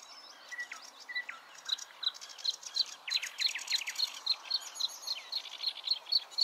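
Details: Bluethroat at Klingaväl, Sweden, 16 May 2022: a fast, varied stream of high ticking, twanging and metallic notes, with a few lower whistled slurs early on, building into rapid repeated phrases.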